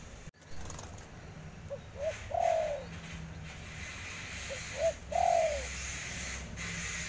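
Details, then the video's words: Spotted dove repeating its phrase twice: two short soft notes, then a longer smooth descending coo, about three seconds apart, with occasional clicks and background hiss. "Suara Derkuku"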